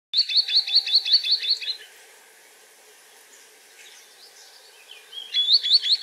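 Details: Green sandpiper (Tringa ochropus), feeding on small invertebrates in Portugal, gives a quick run of high, clear rising whistles, about eight in under two seconds, then a pause and a second burst of similar whistled notes.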